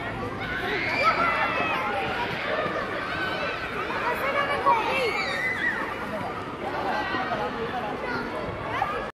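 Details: A large gathering of common starlings flying over Paris streets at 17:10 chatters without pause: many overlapping whistles, clicks and slurred squeaks, fairly high-pitched and steady.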